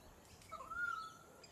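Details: Pied currawong on the Sunshine Coast, Queensland, in October: a single clear whistled note, briefly rising then held level for about half a second before fading, over faint background hiss.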